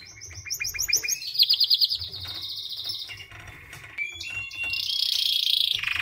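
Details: White canary singing a quick series of repeated rising chirps that run into a loud rolling trill, followed by varied softer notes and a final buzzy sustained phrase.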